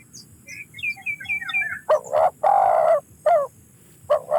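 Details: A spotted dove cuts in after a run of soft high chirps from small birds, giving a quick double note, a long low coo and a short closing note, then starting again.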